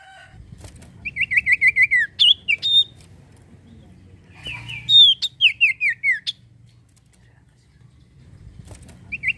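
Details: Common iora (sirtu) singing actively, used as a lure to prompt other birds to sing: bursts of clear whistled notes, each sliding downward, run in quick series of five to eight, with pauses between bursts and a low background hum.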